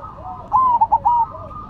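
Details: One short phrase from a singing zebra dove of the Cemani or Silver variety: a smooth drawn coo, two quick clipped notes, then another smooth coo, over a faint continuous background coo.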